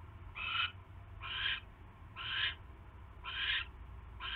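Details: Barn owl at the nest during a mouse delivery on 27 January 2016; spaced rasping hisses arrive about once a second, each lasting a third of a second, over faint low rumble.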